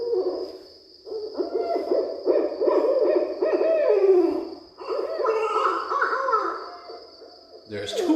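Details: At least two Barred Owls trade loud, wild hoots and cackles, with overlapping rising and falling whoops in an excited back-and-forth, thought to be an argument over territory; a faint steady high whine runs underneath.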